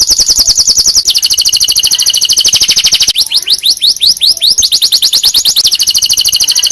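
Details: Tutor song of a canary for other canaries: continuous loud rapid trills with no pause, shifting pitch partway and passing through a series of slurred rising notes.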